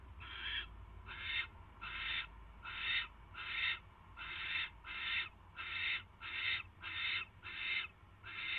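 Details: Barn owl at the nest late on 22 January 2016 as a mouse arrives: a long run of twelve raspy hissing bursts, each under half a second, repeated fairly steadily, with low background rumble.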